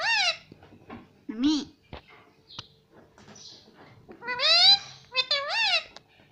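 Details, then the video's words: Pet parrot indoors, said to talk a lot and say words like mummy, papa and mithu: a few high, nasal, voice-like syllables with bending pitch, two bursts at the start and a longer run near the end, with quiet room noise between. "ये तोता सब कुछ बोलता है || parrot talking everything"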